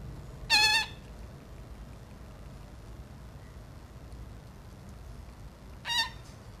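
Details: A 4-day-old grey parrot chick during hand-feeding gives two brief, wavering, nasal squeaks about five seconds apart, with quiet background hiss between them.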